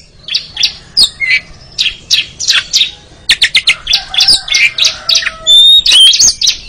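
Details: Rapid chattering by an Oriental magpie-robin in a training recording for contest birds, buzzy notes repeated about four per second, ending in high thin whistles.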